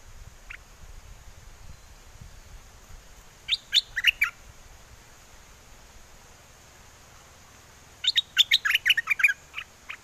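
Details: Bulbul from Chana, Songkhla, Thailand, kept caged and singing wild-forest-style phrases to call a mate in windy weather: two bursts of rapid, liquid chirping notes separated by several seconds of quiet hiss.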